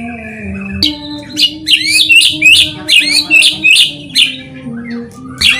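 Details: White-rumped shama lure song intended to make other shamas answer: a clear high whistled phrase repeated about twice a second, each note sharply rising and falling, with a low continuous hum beneath.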